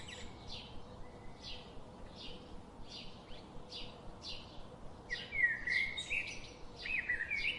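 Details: Robin singing in a forest: high chirps repeated about every half second, then louder warbled, sliding phrases in the last seconds, with a constant low hum underneath.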